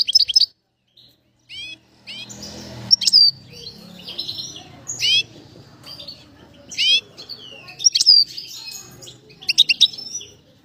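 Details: Bird whistling; high sharp chirps and slurred whistles in scattered bursts with gaps, some low rustling and murmur underneath.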